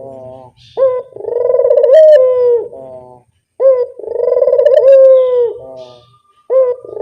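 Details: Barbary dove cooing as a lure sound: a short rising note, then a long rolling, purring coo that sinks at the end, phrases about every three seconds over a low background hum.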